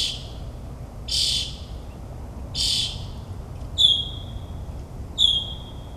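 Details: Midnight mimicry by a northern mockingbird in New Jersey suburbs: two harsh, buzzy bursts followed by two clear, level whistles with ringing overtones, spaced more than a second apart over a quiet rumble.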